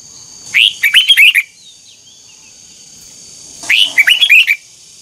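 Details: Red-whiskered bulbul, a bird being trained to sing, gives two matching phrases about three seconds apart, each a quick run of six or so bright slurred whistles.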